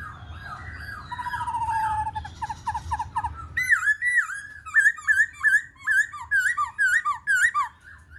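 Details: Black-throated laughingthrush singing during a dancing display, starting with mixed warbled phrases and a descending whistle, then a long string of loud, bouncy, rising-and-falling whistled notes repeated roughly twice a second.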